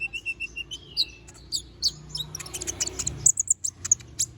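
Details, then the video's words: Little spiderhunter, called konin locally, sings a chatty, sharp-toned song: thin whistled notes at the start give way to dense, scratchy high chips that end in a rapid string of bright, piercing notes. "Kolibri Ninja || Masteran Suara Burung Konin Gacor Bongkar Isian Suara Tajam"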